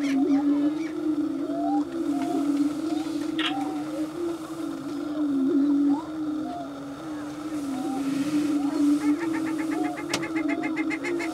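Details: Prairie chickens displaying in a mating dance on a lek at Bluestem Prairie near Dilworth, Minnesota: a continuous low, droning, hollow moaning chorus with short rising whoops and cackles over it, plus faint clicking.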